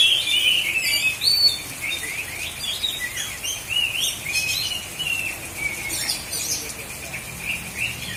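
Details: Songbird-hobby Oriental magpie-robin in Aceh Selatan, Indonesia, delivering a long, rapid string of sharp whistled notes and short trills, about two or three phrases per second, mixing upslurs and downslurs over faint background noise.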